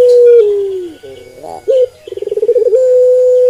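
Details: Puter pelung Barbary dove cooing: a sustained level note slides downward, then brief soft notes, a sharp clipped note, a quick throbbing pulsed run and a long flat coo held to the end.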